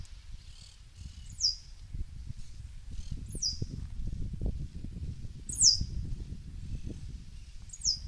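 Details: Swallow-tailed hummingbird giving thin, high, sharply descending notes, four spaced about two seconds apart, over a steady low rumble of background noise.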